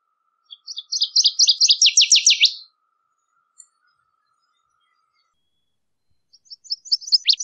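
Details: Singing Northern waterthrush: one loud, rapid phrase of ringing chips that builds into strong down-slurred notes, then silence, then the start of another song cut off at the end.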